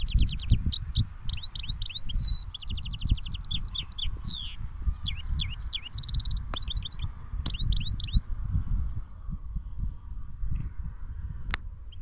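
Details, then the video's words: Caged goldfinch hybrid (mule) in cage-to-cage song, pouring out rapid high twittering, trilled rattles and sharp rising notes for about seven seconds, then falling nearly silent apart from a few isolated clicks, with constant low rumble behind. "Mulet chardoneret phenomene chant magnifique(cage a cage) هجين حسون فينومان غناء بلبل روعة"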